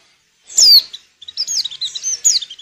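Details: High, sharp downslurred note from a female white-eye in breeding condition, used to stir males into song for luring, followed after a short gap by a quick jumble of thin twittering chirps.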